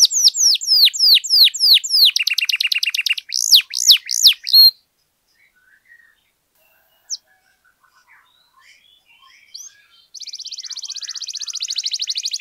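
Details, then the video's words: Canary in long, intense full song, used to stir silent canaries into singing: fast series of downslurred whistled notes, then a buzzy trill and looping phrases, a long pause with scattered chips, and finally a rapid high buzzing roll. "KENARI GACOR PANJANG, AMPUH NAIKKAN EMOSI KENARI MACET AGAR CEPAT BUNYI"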